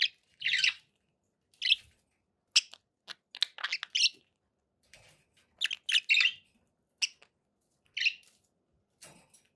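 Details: Pet budgerigars giving sparse sharp chirps and short chattering bursts spaced irregularly, with silent gaps between calls.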